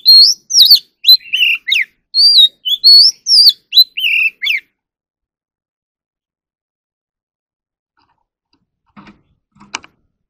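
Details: Oriental magpie-robin in song training, singing a rapid run of clear whistled notes, some rising and some falling sharply, for about four and a half seconds. The song then stops into near silence, broken only by faint clicks near the end.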